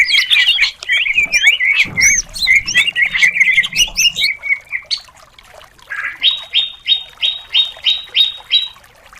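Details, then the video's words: Greater green leafbird contest song meant to provoke other birds: about four seconds of fast tangled twittering, then a pause and a run of eight identical sharp notes, roughly three per second. "Pancingan Cucak Cungkok Emosi"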